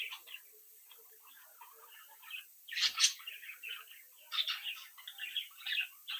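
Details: Captive budgerigar chicks of a home brood, playing and socialising; busy twittering chatter with a loud harsh burst near the middle, followed by more squeaky chirps.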